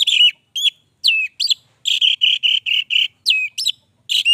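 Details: Anis merah, the orange-headed thrush, sings a continuous 'gacor' run of rapid whistled notes, some sweeping downward, others repeated in an even series, delivered with hardly a pause between phrases.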